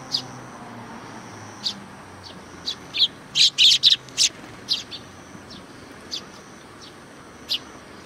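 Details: Sparrows greeting arrivals at a Tenmangu shrine in Japan: sharp, high chirps come in scattered bursts, with a quick cluster of loud tweets near the middle over a soft background hum.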